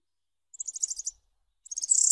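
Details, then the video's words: Corn bunting call used as a hunting lure: two short bursts of high, jangling notes, each a quick run ending in a dry, buzzy rattle, with no other sounds. "صوت البسباس (السمريس)"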